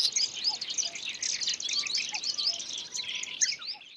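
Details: Black-browed reed warbler, filmed catching and eating an insect, gives a steady, high, scratchy chatter of quick twittering notes, with a few faint lower whistles behind it.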